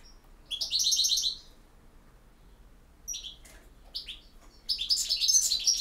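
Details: Campero song from a European goldfinch, a bright, rolling trill, a pause with sharp single chips, then another rich burst of fast tinkling twittering.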